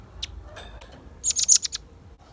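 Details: Velvet-fronted nuthatch, actively singing lure recording for attracting and tutoring birds: after faint scattered ticks, a short burst of five or six sharp, very high chipping notes in quick succession.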